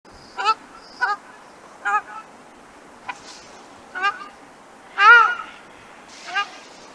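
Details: Ruddy shelduck (Tadorna ferruginea) giving seven nasal, goose-like honks at irregular intervals of about a second, with one longer, louder drawn-out call near the end.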